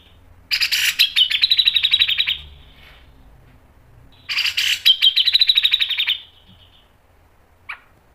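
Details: Tutor recording of a grey-cheeked bulbul for training cage birds, two long bursts of fast rattling chatter, each opening with a harsh noisy blast and settling into evenly pulsed buzzy notes about three per second, a short note at the end.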